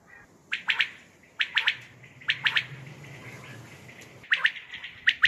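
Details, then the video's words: Night calling of common quail, used for hunting: sharp three-note chirped phrases roughly once a second, broken by a stretch of low rumbling background noise before the triplets resume. "Common Quail sounds batair sounds for hunting batair ki awaz night بیٹر کی آواز رات کے وقت"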